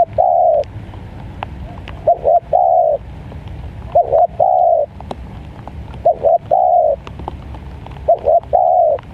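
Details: Spotted dove calling in the rainy season while being lured: repeated mellow phrases, each a quick double coo then a longer drawn-out coo, four phrases spaced about two seconds apart.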